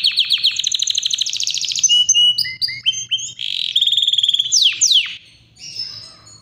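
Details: Yorkshire canary in powerful non-stop song, moving through fast trills, buzzy rattles, clear whistled notes and sweeping downward slurs, phrases changing every second or so before fading.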